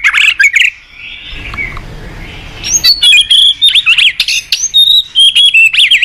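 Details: White-rumped shama in the morning, used as a lure for singing birds: a short rich phrase, a quiet pause, then a long, fast string of high, bright whistles and chattering notes.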